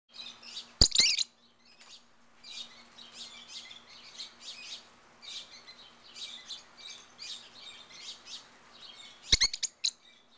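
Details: Wild peach-faced lovebirds in a backyard in Mesa, Arizona, giving a steady stream of shrill, high chattering chirps in short bursts throughout, with two sharp loud clicks near the start and end and a low steady hum beneath.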